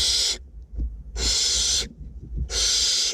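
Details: Barn owlets being fed in a north Glasgow nest box: rough, wheezy hissing screeches of about a second each, three in quick succession with quiet gaps.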